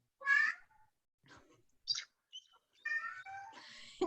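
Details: Bald eagle calls, from a nesting pair in Mercer County Park, played back indoors through a speaker: thin, squeaky, gull-like notes with a few short, higher chirps, in scattered bursts over four seconds.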